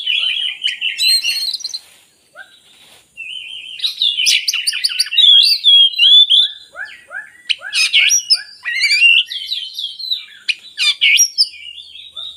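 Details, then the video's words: Oriental magpie-robin song for luring idle birds to sing: long, lively sequence of varied whistles, rapid ticking notes and sharp chirps, with a brief pause early, then a steady flow of phrases. "suara burung kacer bagus untuk pancingan kacer malas bunyi"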